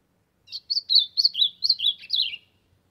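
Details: An Ultramarine grosbeak sings to warm up, one rich, warbled phrase of about eight quick notes, sweet and high, drifting downward toward a lower end; no other sounds.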